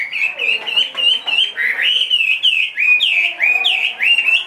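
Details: Caged two-and-a-half-year-old Chinese hwamei, large and said to sing wherever it is placed, delivering clear ringing whistles in short slurred phrases, each sweeping up or down, given steadily throughout.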